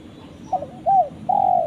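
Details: A spotted dove calling its companion gives a short wavering coo, a rounded second coo and a long sustained croo, loud and close against low background noise.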